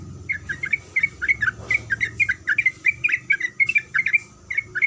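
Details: A female sooty-headed bulbul calls to attract a male with loud, clear, repeated kuik kuik notes, quick pairs and triplets spaced evenly through the bout, with a constant thin high whine in the background.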